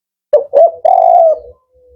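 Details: Male spotted dove, Kuk 4 type with firm, rhythmic voice: two short low coos followed by a long sustained hollow coo that fades out, in a quiet setting.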